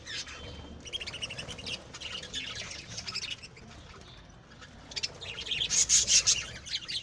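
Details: Home-bred pet lovebirds kept indoors, chattering together: overlapping high squeaky chirps and squawks in uneven bursts, a quieter pause midway, then louder shrill twittering.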